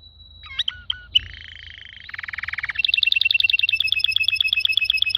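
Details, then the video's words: Canary song shifting through a steady whistle, a few sharp chips, a low buzzy rattle, then a fast loud rolling trill. "Best canary singing 2021 beautifull"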